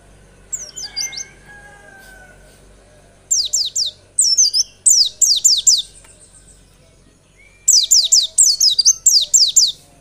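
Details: White-eye song, played as a lure to get other white-eyes singing: bursts of sharp, high, downslurred notes in quick runs of three to five, separated by short pauses, with a faint steady tone underneath.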